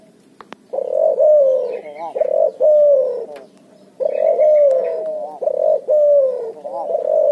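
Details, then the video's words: Lively cuhu, a cross of Barbary dove and spotted dove, cooing in two bursts of rapid, rolling mid-pitched coos, some with a wavering, gargled break, separated by a short pause. "suara burung cuhu gacor ngoar nguku hasil silang puterxtekukur"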